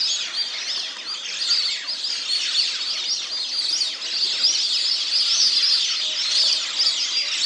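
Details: A flock of plumed whistling ducks (Dendrocygna eytoni), recorded 03082023, gives a dense, unbroken chorus of shrill, high whistles and twitters that overlap continuously.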